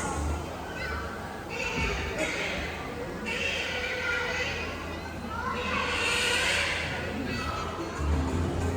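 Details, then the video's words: A female tropical hornbill at a Singapore Zoo show gives loud, harsh, trumpeting calls in two bursts about three seconds apart, likened to a baby elephant, echoing in a large hall over a murmuring audience. "And that, by the way, is the sound of a tropical hornbill."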